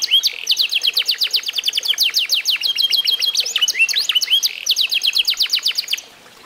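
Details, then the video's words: An F1SF canary eight months old, trained on a song tutor, delivers fast trills of steeply dropping notes, repeated almost three times a second, mixed with looping whistles before stopping abruptly. "REVIEW HASIL MEMASTER BURUNG KENARI F1SF UMUR 8 BULAN"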